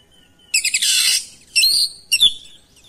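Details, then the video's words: Oriental magpie-robin singing back at another bird: a loud, harsh, buzzy rattle lasting about half a second, then two shorter whistled phrases with sliding high notes. "KACER LAIN LANGSUNG RESPON IKUT GACOR NGOTOT BONGKAR ISIAN"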